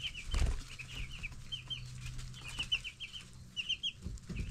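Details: Baby broiler chickens, 10 days old, cheeping in quick rows of high notes from several birds, with a loud thump near the start and a low background hum.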